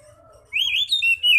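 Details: Oriental magpie-robin ngeplong song as a lure for other magpie-robins: a faint low whistle, then a loud rising and falling slurred whistled phrase.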